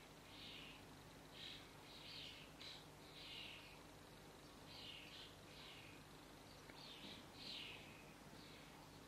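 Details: A juvenile common starling fledgling in a garden gives harsh, raspy begging bursts, each about half a second, repeated in quick runs while about 8 adults bring it insects; low steady hum underneath.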